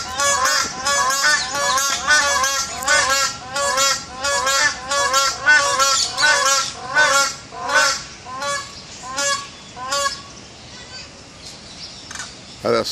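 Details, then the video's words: Crowned cranes at Dubai Zoo, 14 May 2014, giving loud, nasal, two-toned honks a little faster than once a second, overlapping at first, then slowing and fading near the end. "هذا صوت الكرين، الكراون كرين."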